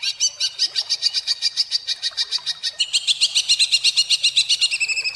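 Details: Greater green leafbird (cucak ijo) in rough, rapid-fire tembakan style, used as a tutor recording for songbirds: a fast series of sharp, buzzy repeated notes, about four per second, shifting to a higher, denser rattle halfway through.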